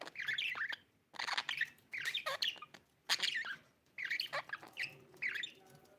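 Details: Pet budgerigars in India chatter in bright, scratchy bursts of chirps and squawky warbles, each phrase about a second long, broken by short pauses.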